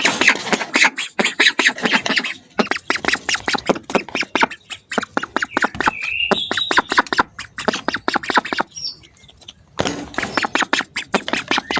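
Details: Hungry ducks heard close up, giving a rapid, dense stream of short harsh quacks in bursts, with brief pauses and a thin whistled note drifting above them.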